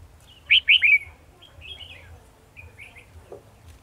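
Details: Trapping decoy red-whiskered bulbul, 18 December 2020, opening with three strong, quickly repeated slurred whistles followed by softer chirping phrases and a brief low knock.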